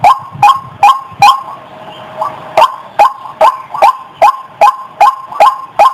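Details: Lure recording of a female white-breasted waterhen: evenly spaced harsh croaking notes, roughly two and a half per second, broken by a short lull of softer sounds before the steady series resumes.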